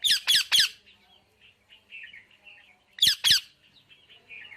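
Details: Parrot giving a quick series of three harsh squawks, soft murmuring chatter, then two more loud squawks.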